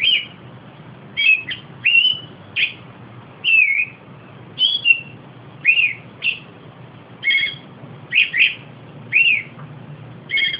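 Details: Steady Austral thrush song: varied brief whistles, some falling slurs and doubled notes, given about once per second in a continuous sequence, with faint low-frequency noise beneath.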